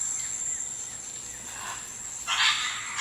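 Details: Scarlet macaws flying free in jungle at a release project in Manuel Antonio, Costa Rica, where they had been gone until three years ago, 24 birds released; a loud harsh rasping squawk near the end over a steady high insect buzz.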